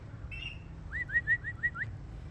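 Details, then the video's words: Ringneck parrot talking, heard as a quick run of six short, rising whistled notes, evenly spaced, preceded by a brief higher tone, over steady low background rumble. "ringneack parrot 🦜 talking"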